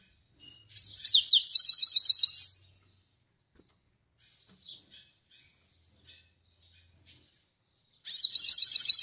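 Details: Yellow-faced siskin (pintassilgo do nordeste) in melodious song: a rapid, dense twittering burst of high warbled notes lasting about two seconds, a quieter stretch of scattered chirps, then another fast twittering phrase.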